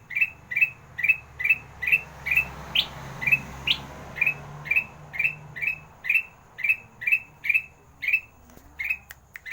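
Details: Kutilang emas sandang garigit master song for birds slow to sing: a long regular string of bright chirps with buzzy tails, nearly two and a half per second, a few higher notes mixed in, faint hum beneath.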